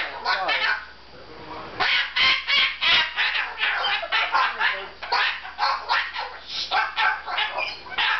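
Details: Male Moluccan cockatoo giving loud, harsh, raspy squawks in uneven bursts, some clustered fast and some spaced out, with a brief stretch of softer warbling sounds at the start.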